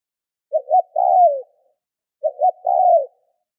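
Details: Two back-to-back cooing phrases of a spotted dove, played to encourage other doves to call; double short opening notes and a drawn, gently falling final coo, roughly two seconds apart.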